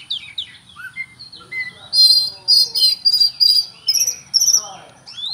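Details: Oriental magpie-robin delivering cricket-imitation song: falling and rising whistles at first, then a series of loud, harsh, ringing chirps in close succession, ending with upslurred notes.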